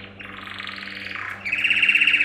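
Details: Male yellow canary, Serinus canaria, singing a training song for canaries: quieter, blurred buzzy trills at middle pitch, the second part louder and steadier, over a low mains-like hum.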